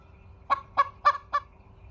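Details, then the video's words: Hen giving four short, harsh, evenly spaced clucks, roughly one every quarter second, against a quiet background. "hen crowing / 雌鶏の鳴き声"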